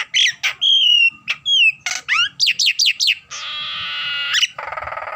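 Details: Energetic song from a Nias hill myna mixing sharp chirps, a clear level whistle, quick rising-falling whistled notes and a long harsh nasal tone, finishing with a rattling buzz.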